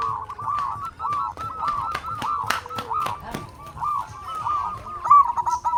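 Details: Local zebra doves, kept as a lure to set other doves singing, coo in a run of hooked, rolling notes. Sharp clicks or taps sound repeatedly through the cooing.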